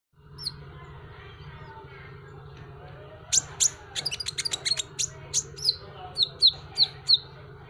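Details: Van Hasselt's sunbird (kolibri ninja), a popular cage bird, in a masteran tutor recording: sharp high chirps and clicks burst in after three seconds of quiet, quick uneven notes to the end over a steady low electrical hum.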